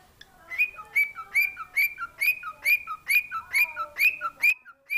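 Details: Singing pet cockatiel gives a steady string of about twelve clear whistled notes, evenly repeated a little over twice per second, each paired with a short lower slurred note, loud and close.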